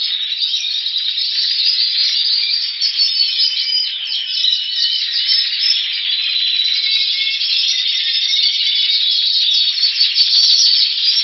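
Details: Young Timbrado canaries in flight cages with tutor birds in Greece on 6 October 2015, clearing their voices after the moult: a continuous dense wash of high metallic rolling trills and chattering from many birds at once, unbroken throughout.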